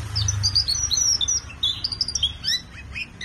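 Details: Colour canary delivering a dense, fast warble of high twittering and whistled notes without a break, with a low hum in the background.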